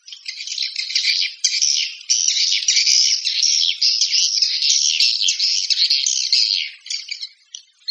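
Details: Swiftlet calling sound: dense, high buzzy twittering chatter that runs almost without pause for the whole stretch, with short rattling bursts and a brief drop near the end.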